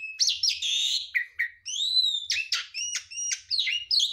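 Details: Garuda mompa Javan pied starling pouring out mimicked bird sounds without pause, meant as a training recording for songbirds: sharp high chirps, a long rising-then-falling whistle and rapid buzzy notes, densely packed.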